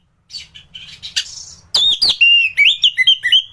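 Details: Caged orange-headed thrush singing gacor-style as masteran for training other birds: soft scratchy twitters first, then loud rapid whistled phrases jumping up and down in pitch, about four notes a second.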